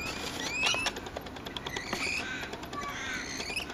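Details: Rainbow lorikeets (Trichoglossus moluccanus) chatter in harsh, rapid screeches and shrill squeaks with a few brief rising whistles, close and busy throughout.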